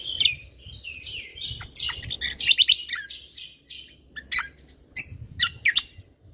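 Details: Lively lesser green leafbird song in a tutor recording with 'tembakan' fills: a rich jumble of high whistles and rapid chip trills, then separate piercing downslurred notes, with faint low hum.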